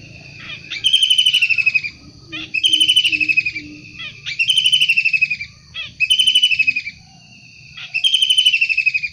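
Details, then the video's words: Energetic wild long-tailed shrike repeating loud, scratchy, buzzing bursts, five in nine seconds at regular intervals, each sliding slightly downward, with quiet low notes in the gaps. "Tengkek udang gacor asli alam liar"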